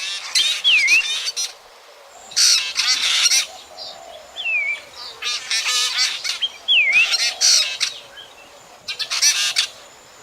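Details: Drongo calls for night bird trapping, 2024: repeated phrases about every two seconds, each a sharp whistled note plunging and rising in a V, run into noisy, buzzy chatter bursts.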